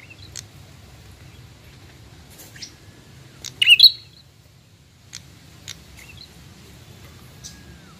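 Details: A young bar-winged prinia gives sharp, high chirps scattered a second or so apart, with one brief rapid twittering burst, over a faint low hum.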